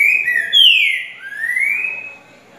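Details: Trinca-ferro (green-winged saltator) giving 'grego boca mole com boi' song for tutoring young birds: rich slurred whistles, a falling phrase followed by a slow rising one, fading out, no other sounds.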